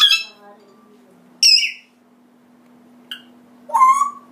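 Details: African grey parrot giving a varied series of calls: a harsh broad squawk, a shrill whistled note, a brief click-like sound and a rising then falling whistle, separated by pauses, with a constant low hum behind.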